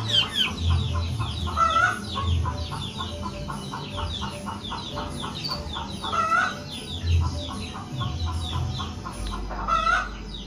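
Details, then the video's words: Long-tailed shrike in full song, mimicking a cat: rapid, evenly repeated scratchy chatter running throughout, broken by a few louder descending mewing slurs roughly every four seconds, with a low rumbling hum beneath. "CENDET GACOR SUARA KUCING"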